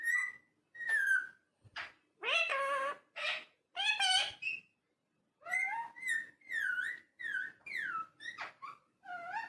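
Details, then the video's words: Talking parrot mixing clear whistled notes with throaty, speech-like chatter; a brief pause falls midway, then comes a string of short rising and falling whistles. "Talking Parrot"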